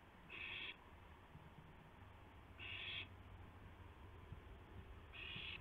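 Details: During a gopher hand-off between owls on April 2, 2016, at 2:51 AM, three breathy, rasping hiss calls come at steady intervals of about two and a half seconds, with a low hum underneath.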